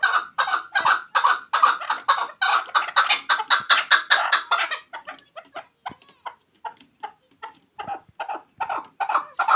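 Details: Hunter chakor, a chukar partridge, starts with a dense rhythmic burst of harsh clucks, then slows to spaced single chuk notes before a louder flurry closes.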